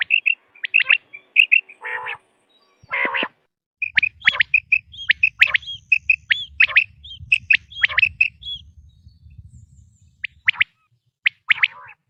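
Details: Quail from a recording used for hunting. Sharp high chirps run in quick bunches, with two harsh rasping notes early on and a low rumbling background in the middle section.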